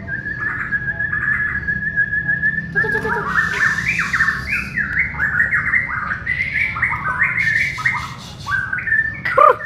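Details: Bornean white-rumped shama during a group training session, giving a varied run of loud whistled phrases with stepped, rising and falling notes over a steady low background hum.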